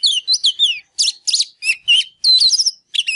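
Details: Oriental magpie-robin in fired-up song, used to stimulate other birds to sing: quick clusters of sweet slurred whistles and trills in short groups separated by brief gaps.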